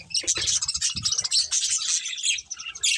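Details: Colourful budgerigars feeding, their high chirps and squeaky warbles running almost without a break over soft low knocks and rustles.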